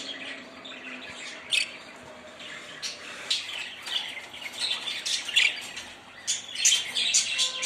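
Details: Budgerigars giving a steady stream of short, harsh chirps and squeaky notes, irregularly spaced and gradually growing busier and louder.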